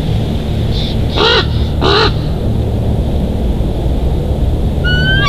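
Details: Wild bald eagle pair's nest in Big Bear Valley, 1 February 2023; a brief high note then two harsh, piping chatter calls, with a thin rising whistle near the end over heavy wind noise.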